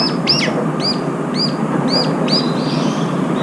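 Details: A group of brown-eared bulbuls at food, competing with one another. Five shrill, arched squeals repeat roughly every half second, ending in a softer, trailing whistle, with constant low background noise throughout.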